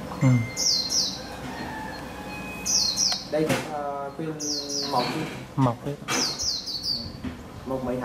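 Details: Vietnamese caged lure white-eye being tested outdoors, hung near a tree where a wild white-eye perches. The caged bird fans its tail while giving bursts of thin, high chattering notes, several quick phrases a second or two apart, as men talk nearby.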